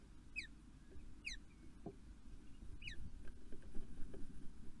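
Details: Poole Harbour Ospreys meeting and mating early on a June morning: three clear, high, falling whistled cheeps in the first three seconds, then only faint patter and low rumbling noise.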